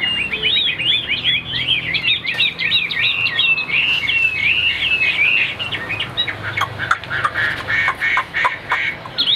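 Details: A caged Chinese hwamei with white wings and white tail, newly arrived the day before, sings a loud, rich, high-pitched continuous run of varied whistles and rapid trills, then broken phrases with sharp notes near the end.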